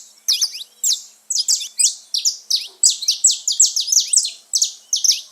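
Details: Free-living saffron finches gathered in a noisy chorus: bright, high chirped notes in fast runs, overlapping calls building into an almost continuous twittering stream.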